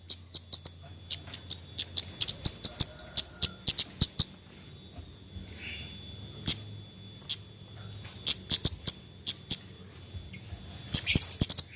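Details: Nyecret-style Javan white-eye calling, used to prompt reluctant birds: rapid runs of dry, very high ticks with a quiet gap in the middle, then more scattered chips and a dense chattering burst at the end.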